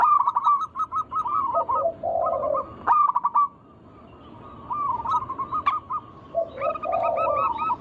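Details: Zebra doves of local stock, a group recording meant to stir other doves into singing: staccato runs of bouncy cooing notes broken by a brief pause, with low muffled purring coos between phrases.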